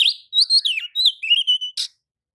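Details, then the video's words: Oriental magpie-robin singing back at another magpie-robin: sweet, slurred whistles falling and rising in a fluent phrase, ending in a flat trill and a single harsh note. "kacer manasaja jelas ikut nyaut emosi dengrar kicau kacer seperti kacer ini"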